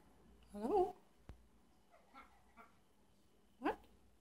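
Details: Pet parrot kept indoors, mumbling while asleep: a short burst of rising, warbled chirps, then a click, faint soft notes, and another quick rising chirp near the end, in a quiet room.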